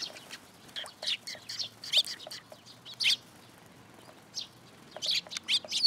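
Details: At a Tenmangū shrine on 10 July 2022, sparrows arriving to be fed give irregular high chirps, clustered at the start and again near the end, with a quiet gap between.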